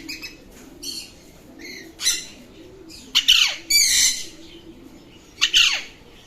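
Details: Alexandrine parakeet uttering loud, harsh squawks: a few short raspy notes, then strong broadband screeches with downward-sweeping tails near 3.2, 4 and 5.5 seconds, in otherwise quiet surroundings.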